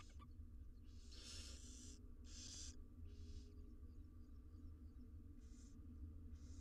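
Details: Barn owl chicks, six wild nestlings inside a monitored nest box in Israel, beg as they are fed: loud rasping hisses of about half a second, with quieter hisses following, over a low droning background.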